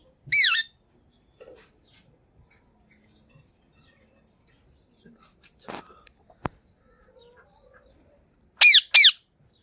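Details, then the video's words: Pakistani green talking parrot speaking Urdu, indoors, saying the word Mitthu in two short, sharp, harmonic bursts at the start and end, quiet room in between with a few faint clicks. "Green Talking Parrot Speaking Urdu Mitthu"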